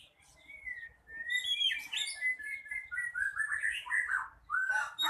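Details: Magpie-robin (kacer) in energetic song, producing a long continuous run of varied whistles, warbles and chirps that rise and fall, ending in clear slurred notes, with a faint low background hum.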